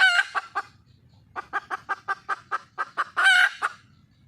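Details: A wild junglefowl hen seeking a male opens with a harsh squawk, then gives a steady series of about a dozen short clucks before another loud rasping squawk.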